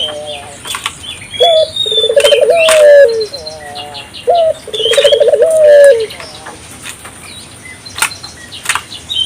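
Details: Two full phrases from an African collared dove calling energetically to set off local doves: a sharp rising note, a rolling vibrato trill, and a long coo sliding downward; scattered high bird chirps and clicks between phrases.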